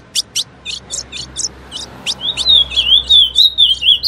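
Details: Song of a female ultramarine grosbeak, played to make males sing: about a dozen crisp chip notes, then a sustained, quavering whistled trill that undulates steadily to the end.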